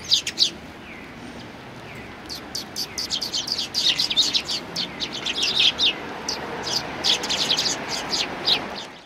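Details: A flock of Eurasian tree sparrows resting after feeding, 26 January 2020, chirps in a dense overlapping chatter that builds from scattered notes into continuous rapid twittering.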